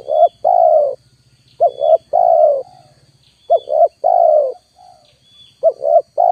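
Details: Spotted dove coos used to lure wild birds: a steady run of phrases, two clipped notes then a sustained coo, each about two seconds apart, with a faint buzzing rattle underneath early on.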